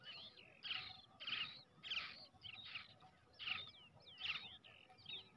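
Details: Faint rasping chirps from a hand-reared brown shrike chick, roughly one to two a second, mixed with looping high whistled notes and steady background noise.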